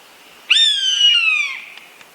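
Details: Eastern buzzard, a large hawk: a single loud mewing call about one second long, starting high and sliding steadily downward with rich harmonics, then stopping cleanly against a quiet background.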